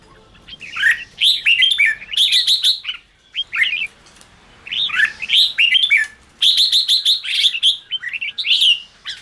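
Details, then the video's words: Caged-bird trigger recording of a red-whiskered bulbul chattering hotly; three long, dense bursts of bright slurred whistles and snapping clicks separated by short pauses. "chào mào ché kích bổi căng lửa"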